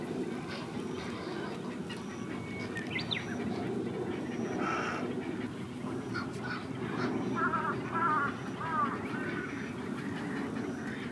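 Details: Black-crowned night herons at a nesting colony with growing chicks on the Ōta River: a dense, overlapping clamor of harsh, croaking quok calls from many birds, with brief higher warbled notes from another bird partway through.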